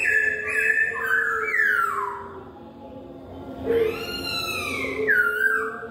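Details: Loud laughingthrush whistled song of descending slurred phrases, several falling sweeps strung together, a pause, then rising-and-falling whistles. The song is used to prompt other poksay to reply.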